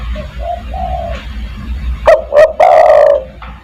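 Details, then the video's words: Spotted dove lure call, 'kuk 1' style, to call other doves: soft distant coos at first, then one loud phrase of two short notes and a long falling coo. "burung DERKUKU tekukur master gacor kuk 1 sangat mewah untuk memanggil teman"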